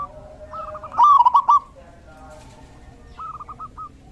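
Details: Zebra dove song recorded during the rainy season: a short loud phrase of rapid, wavering coos, then a quieter answering phrase from a more distant dove.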